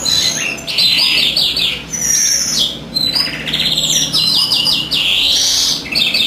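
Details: Greenfinch singing steadily while the hen incubates: dense, loud twittering and rattling trills running almost without pause.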